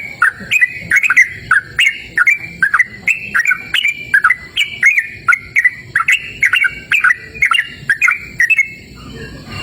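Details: Yellow-vented bulbul singing outdoors in a cool, open natural setting: lively bubbly chirps and short whistled slurs repeated steadily, roughly two per second, with faint steady high insect-like tones in the background.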